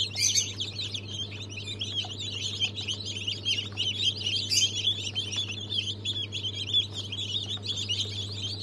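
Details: Just-hatched chicks of several breeds (Brahma, Fizan, Australorp, Legbar), 3 March 2023: unbroken chorus of high cheeping from many birds, rising and falling in loudness, with a faint rustle and steady low hum.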